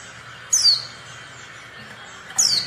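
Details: Female Oriental white-eye calling, used as a lure to prompt silent or lazy males to answer and sing quickly as in the wild: two thin, high, downward-slurred chips about two seconds apart over faint steady background hiss.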